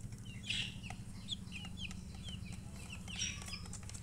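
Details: Newborn chicks giving scattered thin high peeps, fewer and softer, over a strong low droning hum that dominates the background.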